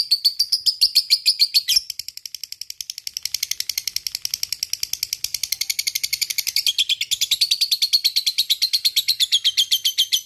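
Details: Lovebird kept as a single fighter, chattering in the long ngekek style: a rapid, rattling run of harsh high notes that breaks briefly near the two-second mark, then continues for eight more seconds, wavering slightly in pitch.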